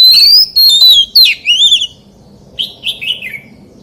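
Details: Loud whistled phrases from an oriental magpie-robin singing in the forest-voice style, with long slurred notes at first, then a gap and softer falling warbles.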